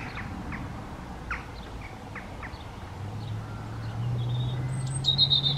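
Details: European robin in breeding season singing territorial song in response to other robins nearby: short, thin, high notes and trills, a few each second, over a low droning hum that swells toward the end.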